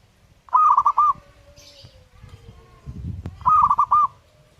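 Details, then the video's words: Zebra dove singing vigorously: two brisk phrases of rapid, soft, evenly pitched coo notes about three seconds apart. A faint thin tone and some low rumbling sit in the gap. "burung perkutut gacor"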